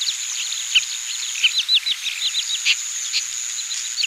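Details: Irregular, rapid chattering of short high chirps from Oriental pratincoles recorded in Pingtung County, Taiwan, 20 April 2017, with a constant shrill insect drone behind them.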